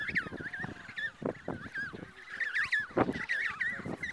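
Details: Emperor penguins on the ice near Snow Hill Island, shy and curious, approaching a motionless observer; wavering warbled calls, trumpet-like, rise and fall repeatedly, broken by soft thumps and scuffles close by.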